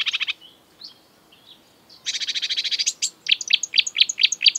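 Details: Exuberant marsh warbler, a mimic of European and African species, in breeding season: a fast rattling trill, soft warbled notes, another long trill, then a series of sharp repeated chips.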